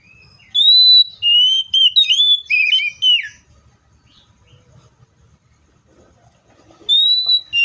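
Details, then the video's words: Seychelles magpie-robin giving loud, clear whistled phrases, some level and some sliding up or down, in a burst lasting about three seconds. Near silence follows, then another high whistle begins. "COPSYCHUS SECHELLARUM BIRDS SOUNDS LIKE IN NATURE LOUD CLEAR SOUNDS"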